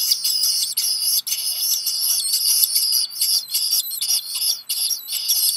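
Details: High piping of a Black guillemot chick at a Maine island nest, Seal Island National Wildlife Refuge, hearing a parent bring food at midday in July; dense, nearly continuous shrill whistles with warbling pitch, few gaps.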